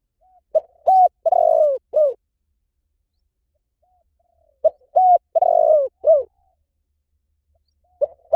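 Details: Repeated spotted dove coo phrases, about four seconds apart, each a short run of hollow notes with a long, slightly falling coo in the middle. A third phrase is just beginning at the end.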